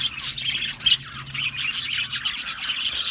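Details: Australian budgerigar colony in an aviary, a thick mass of rapid chirps, squeaks and warbling squawks, constant loud chatter from many birds at once.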